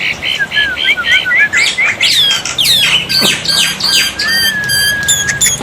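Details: Black-winged myna as a water-therapy tutor to prompt silent birds to reply: a run of quick looping whistles, then loud harsh squawks and scratchy buzzes, closing with a long flat whistle.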